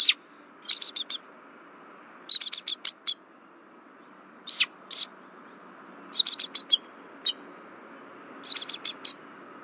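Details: Bald eagle pair warning at their nest tree as an intruder flies over, Berry College nest camera, Rome, Georgia, February 1, 2024; high, sharp chittering notes in bursts of three to six, repeated every one to two seconds.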